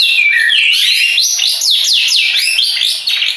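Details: Long-tailed shrike, Madura type, delivering a fast run of whistled up-and-down slurs, roughly three a second, over continuous buzzy, scratchy chatter.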